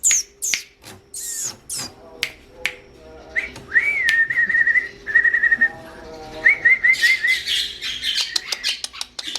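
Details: Long-tailed shrike song serving as training audio for other songbirds: sharp harsh notes first, then clear whistled warbling phrases with quick trills, ending in dense scratchy chatter.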